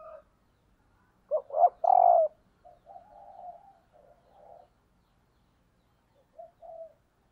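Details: Female spotted dove calling to excite males, decoy bird; a single cooing phrase of two brief notes and a long hoarse coo, trailed by softer murmuring coos.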